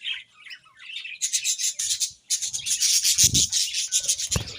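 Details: Morning chirping of budgies. Soft scattered twitters give way to a loud, rapid, scratchy chatter of several birds, broken by rubbing and knocking noises.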